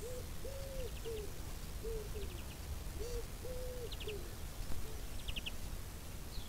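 Chukar giving low, hollow clucking notes in two quick runs of about five, with faint high chirps from a small bird and a steady low rumble.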